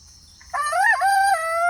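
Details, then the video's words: Pastured homestead rooster crowing, free-range on an off-grid farm: a crow begins abruptly after a short quiet gap, bends upward, dips, then holds a loud steady tone that continues to the end. "funny rooster chicken crowing sound"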